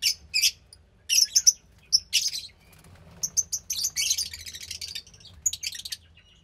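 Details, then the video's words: Captive Fischer's lovebird chick, about 15 days old, alternating squawky harsh bursts with quick, high-pitched chattering notes. "Lovebird Chick From Lutino & Pastel Blue Fischer"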